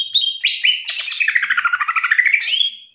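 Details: Top national greater green leafbird singing a masteran: a dense, rich warble of rapid chattering notes and slurred whistles, descending then rising into a sustained high whistle.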